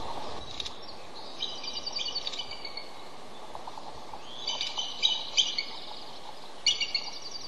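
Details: Female bald eagle, an incubating bird in a reintroduction project, calling repeatedly after flying off her nest of eggs, on high alert: runs of high, thin, chittering notes in bursts, with steady outdoor background noise throughout.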